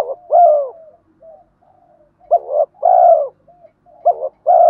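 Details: Training-stimulus coos of male and female spotted doves: three deep phrases of short notes and sustained falling coos, separated by faint soft warbling murmurs.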